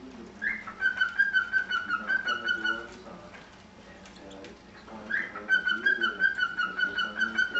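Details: Pet cockatiel mother feeding her chicks indoors; rhythmic, pulsing harmonic calls at a steady fast pace in two long bursts separated by a quieter pause near the middle.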